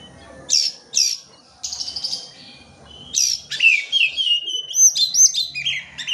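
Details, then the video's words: Oriental magpie-robin song meant to provoke lazy birds to sing: two sharp high chirp bursts, a scratchy buzz, then a lively string of whistled slurs and quick up-and-down notes over low background rumble. "PANCINGAN KACER MALAS BUNYI"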